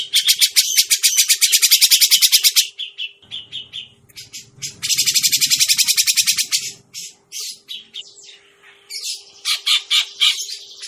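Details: Grey-cheeked Bulbul recording used as a lure or master call for trapping birds: harsh, rapid chattering bursts of high notes, each run lasting a couple of seconds with short pauses, over a faint low hum.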